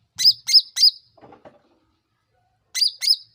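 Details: Sooty-headed bulbul used as a lure sound to provoke other bulbuls into answering quickly; three sharp, high chirps in quick succession, a pause with faint low rustling, then two more identical chirps.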